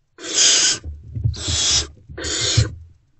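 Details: Great horned owl nestlings awaiting food as an adult returns, 3 March 2024, early morning. Three drawn-out, airy rasping hisses, each over half a second, with soft low shuffling sounds underneath.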